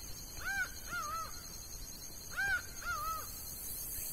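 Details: Laughing falcon singing in the sertão of Bahia: two loud paired calls, each a rising-falling ringing note followed by a wavy, drawn-out second note. The pairs come about two seconds apart against steady low hiss.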